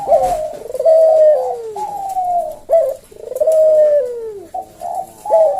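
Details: Collared dove known locally as puter jawa, cooing in slow senggang manggung fashion: repeated short notes and long level coos that slide downward, following one another closely with little pause.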